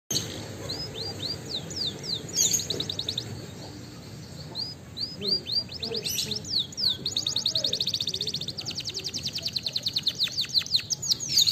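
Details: Canary song played as a lure to make other canaries sing: fast rattling trills of high repeated notes alternating with sweeping whistled slurs, rolls speeding and slowing over eleven seconds, faint low background hum.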